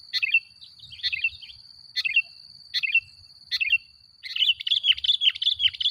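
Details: Sooty-headed bulbul in lively 'gacor' song, played as a lure to provoke other bulbuls: short bubbly whistled phrases repeat roughly every 0.8 seconds, then break into a continuous jumbled chattering run, over a steady high-pitched whine.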